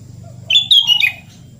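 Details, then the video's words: Sooty-headed bulbul in full, lively voice, played as therapy for a bulbul that has stopped singing: one short phrase of three or four loud, clear whistled notes, the last slurring downward, over a faint low hum. "KUTILANG GACOR SUARA ASLI ~ TERAPI KUTILANG MACET BUNYI"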